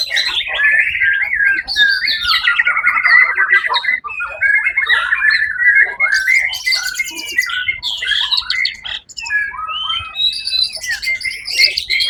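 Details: First-place white-rumped shama at the Suara Agung songbird contest, 1 October 2023: a long, dense, rapidly changing song of whistles, trills and harsh chattering notes, unbroken for twelve seconds.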